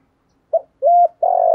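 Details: Spotted dove used as a decoy bird to lure doves, giving part of a cooing phrase: a short low note, a longer steady hollow coo, then a sustained slightly rough coo, in quiet surroundings.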